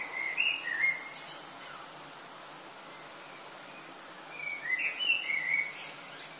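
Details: In Lille, France, in early August before sunrise, a common blackbird sings two separate mellow warbled phrases, each closing with thin high squeaks, split by a quiet gap of about three seconds.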